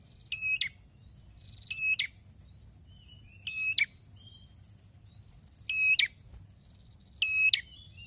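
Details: Prinia with a red head singing busily: five harsh, buzzing phrases repeated about every one and a half seconds, each with an abrupt ending, with faint high whistles from other birds between them.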